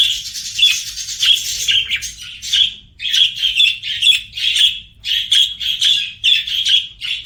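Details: Singing pet budgies give a steady run of bright, buzzy chirps, each note short and repeated about twice a second in a lively chattering stream.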